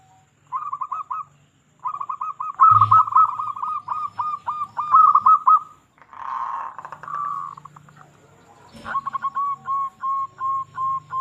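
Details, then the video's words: Persistent local zebra dove recorded to lure others into song: long chains of fast, evenly spaced coos repeated phrase after phrase, broken by a couple of knocks and a rough noisy burst. "Perkutut Lokal Gacor Suara Paling Ampuh Untuk Pancingan Burung Perkutut Agar Bunyi"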